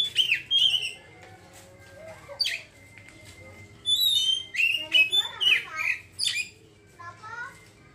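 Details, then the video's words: Ngeriwik-style singing from a kacer (Oriental magpie-robin): loud whistles and scratchy fast twittering in two bursts separated by a quieter stretch, steady low hum behind. "kacer ngeriwik langsung ngeplong seketika"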